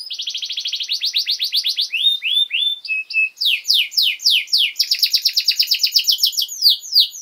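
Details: Canary song used as a master recording to train young birds: long, loud run of rapid repeated trills and rolls, syllables sliding downward, with brief clear whistled notes mid-phrase, then fast chattering rolls again.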